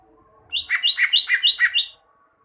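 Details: Cucak ijo, greater green leafbird, singing for caged-bird training: a rapid run of about six paired whistled notes, clear and evenly spaced, over a quiet background.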